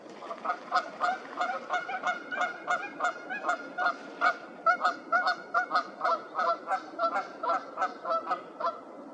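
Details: Two geese just landed in April in Whitemud Creek Valley, Edmonton, Alberta, one agitated and rolling its head, honk steadily: loud nasal double-noted honks about twice a second, with a soft background hum.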